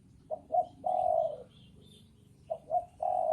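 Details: Male and female spotted doves: two short hoots then a long even coo, the second phrase starting at the end.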